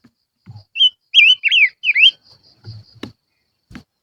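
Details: Barbet lure song of four high, wavy whistled notes, the last one a steep V-shaped sweep, with low thumps and a sharp click nearby.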